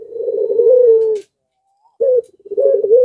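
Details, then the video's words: Zebra dove in breeding mood whose singing spurs surrounding doves to call; a sustained purring coo, a pause, then a short burst and rapid stuttering coo notes. "BIRAHInya memuncak Lagi Sampe Gacor Ngundang Puter Disekitaran Ikut Gacor jadi rame"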